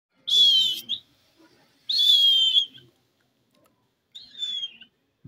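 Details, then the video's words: Wild parrots chattering in the evening: three clear, high whistled notes, each slightly bending in pitch, spaced about two seconds apart, the last one softer, with quiet background otherwise. "jungali parrot sound,parrot evening time talking"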